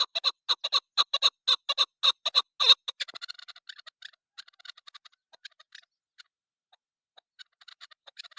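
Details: Loud, rapid, rasping notes from a female chukar partridge for about three seconds, then fading to sparse, faint clucking notes with long gaps.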